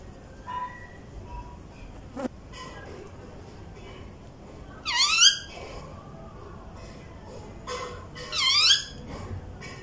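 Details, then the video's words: Pet ring-necked parakeet kept with a second ringneck in Vehari, Punjab, Pakistan, giving two loud harsh screeches about four seconds apart, each a rich buzzy note dipping then rising, over quiet indoor background with faint clicks. "Ring neck talking every thing with raw Ring Neck In URDU"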